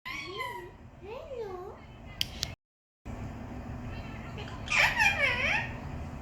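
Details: Talking parrot: wavering, voice-like phrases with rising and falling pitch, a brief silent break, then louder, higher squeaky speech-like syllables near the end over steady background hiss.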